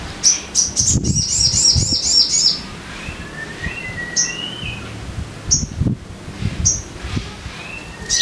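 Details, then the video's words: Sogon bird song used as a lure to get caged birds singing: a rapid run of high whistled notes, then scattered short chirps and sliding mid-pitched whistles, with rustling and low background noise. "Pancingan Suara Burung Sogon Biar Cepat Gacor"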